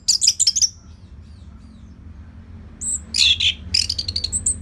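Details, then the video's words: Orange-headed thrush in steady, relaxed full song, used as a lure to train other birds: a burst of rich, rapid whistled and chattering notes, a pause, then a longer run of slurred high phrases over a low hum. "Dipancing Dengan Kicauan ANIS MERAH Gacor Selow"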